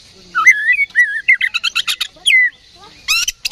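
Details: Oriental magpie-robin, provoked by a lure recording into fighting mood, gives wavering mid-pitched warbled whistles, then a quick series of sharp buzzy notes and a final burst of harsh high chatter.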